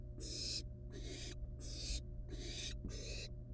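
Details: Wild barn owl nestlings at the nest with a live rat brought as prey, playing with it before killing and eating it; harsh broadband hisses about half a second long, repeated roughly every 0.7 seconds, over a steady low hum.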